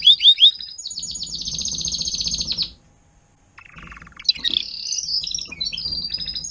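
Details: Adult Timbrado canary tutor singing to teach young canaries: a high trill opening into a long sustained rolling tour, a brief silence near three seconds, then low rattling notes and mixed chirps, faint low background hum.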